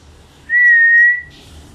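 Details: A myna's single clear whistle held level for about three-quarters of a second, then trailing off into a soft hiss, against faint low background noise.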